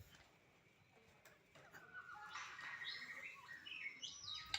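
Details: White-rumped shama song. A quiet opening gives way to a rich run of varied whistled phrases from the second second onward: rising and falling slurs and short warbles, growing louder toward the end, with a faint hiss behind.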